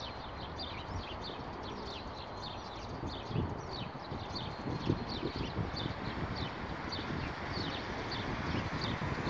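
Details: Sparrows, described as quite plump, chirping in bushes by a bench on Akademika Zelinskogo Street near Vavilova Street, 12 April 2019, in spring; dense, overlapping sharp chirps from several birds, about three per second, over a steady low rumble.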